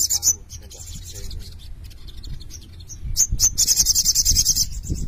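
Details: Several little spiderhunters singing busily, giving high thin chirps followed by a rapid, rhythmic burst of shrill repeated notes, with a low background rumble throughout.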